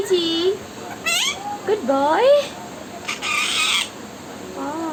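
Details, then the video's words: Parrot talking in a speech-like voice: short gliding, harmonic-rich utterances that rise and fall, a brief raspy burst in the middle, then a wavering phrase at the end; no other clear sounds. "cute parrot talking"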